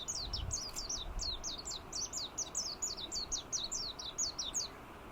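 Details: Warbling white-eye singing from an open perch in Kunigami village, Yanbaru area of northern Okinawa, 25 March 2022; a long, hurried stream of very high, sweet, slurred twittering notes, about four per second, with brief low thuds.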